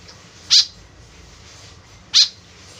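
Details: Two harsh, high, buzzy notes from a white-breasted woodswallow used as a lure, about one and a half seconds apart, each very short, over steady low hiss.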